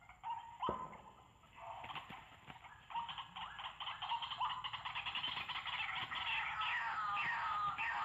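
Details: White-breasted waterhen giving a loud, busy run of rough, rising croaks that build into a dense, rapid chatter, roughly three notes per second, growing louder toward the end; a sharp knock sounds near the start.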